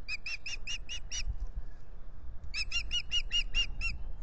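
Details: Mating osprey pair on their nest at Salt Point, dawn, 9 April 2021, nest camera recording: two loud series of rapid, evenly spaced high whistled yelps, six then eight notes, roughly seven per second, separated by a brief quiet gap.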